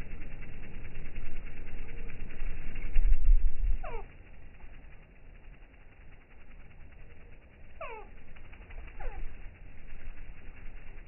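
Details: Slowed-down hummingbird recording from slow-motion footage: three separate downward-sweeping chirps, each with layered overtones, spaced several seconds apart over a constant low hum; a louder burst of low noise comes before the first.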